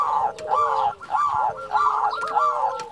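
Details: Local zebra dove calling as a lure for other doves, a dense, continuous rippling coo with loud rolling phrases repeated roughly every half second over a lower steady tone.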